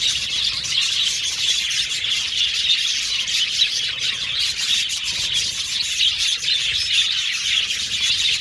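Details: Chirping budgerigars fill the whole stretch with busy, high-pitched twittering and rapid chirps overlapping from many birds, a continuous flock chatter with no pauses.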